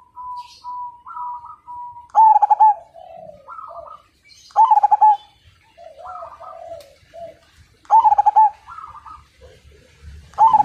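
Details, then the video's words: Prolific Majapahit zebra dove, its song meant to stir other birds into singing: loud rapid-coo bursts every two to three seconds, interleaved with softer rising coos from neighbouring doves. "Perkutut MAJAPAHIT GACOR DAN FIGHTER Suara Bikin Burung Lain Ikut Manggung"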